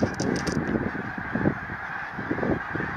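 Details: Flock of snow geese in a field near Baldwinsville: a thick, unbroken chorus of honking and gabbling, with louder bursts of nearby calls rising above a constant murmur of many distant birds.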